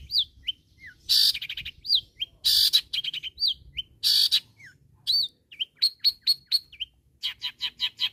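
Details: Long-tailed shrike calling to rivals, a mixed sequence of harsh grating bursts, slurred up-and-down whistles, evenly spaced clipped notes and a closing fast chattering run.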